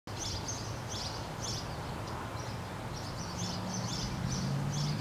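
A sparrow gives short, high chirps in quick irregular runs, about three a second, over steady low traffic-like rumble.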